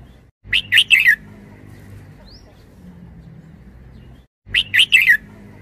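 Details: Bright, chattering phrase of three or four fast slurred notes from a Red-whiskered bulbul used as a decoy, heard twice about four seconds apart, with a quiet background hum.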